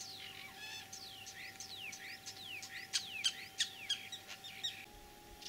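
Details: Springtime common starling in Kalyazin district, Tver region, Russia, 9 April 2023. It gives rapid downward-sweeping whistles, many in quick succession, with a few sharp clicks mixed in.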